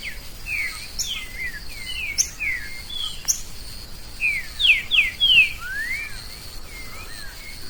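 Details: Wild green-winged saltator in forest scrub delivering loud whistled phrases: sliding, falling notes, some rising, strung together roughly three per second, over a continuous shrill insect hum.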